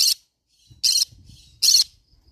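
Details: Three short, grating screeches from a green-cheeked conure, spaced under a second apart, with faint low scratching in between.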